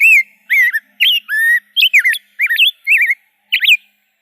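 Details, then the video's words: Rose-breasted grosbeak song of clear, full whistled notes in short groups, some sliding down, others twisting upward, with crisp pauses between phrases. "kicauan indah rose-breasted grosbeak"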